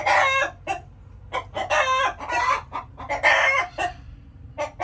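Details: Chickens cackling: a loud opening squawk, scattered sharp clucks, then two strong bursts of harsh drawn-out calls, ending with faint single clucks over a low hum.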